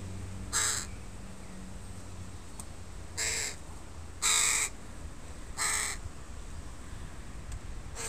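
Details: Crow family with young birds in a park on a Sunday: four loud, hoarse caws, well separated by one to two seconds, standing out over a steady low hum.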